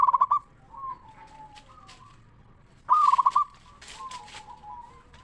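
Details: Zebra dove of local stock singing as a lure for other zebra doves: short burst of fast pulsed cooing notes, repeated after about three seconds, softer answering coos and brief rustling in between.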